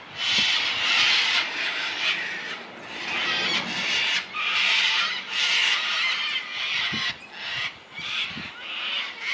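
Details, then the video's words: Sulphur-crested cockatoos recorded 040420 in Launceston, Tasmania, Australia, give harsh, grating screeches in bursts of about a second, overlapping into a raucous chorus that barely pauses. "Sulphur crested cockatoos"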